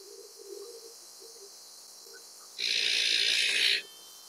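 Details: An Azure-winged Magpie (Cyanopica cyanus) gives one harsh, rasping screech lasting about a second, after a few faint low murmurs.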